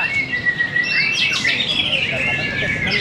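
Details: White-rumped shama (murai batu) fighter in a fierce contest between birds, delivering loud, clear whistles that sweep up and down in quick, varied phrases.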